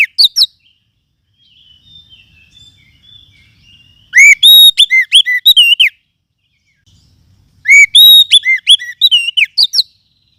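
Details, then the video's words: Oriental magpie-robin from the forest, recorded as a lure for training other birds. Brief whistles open the clip, followed by two loud bursts of looping whistles and sharp high chirps about three seconds apart. "Suara Pikat Burung Kacer Hutan"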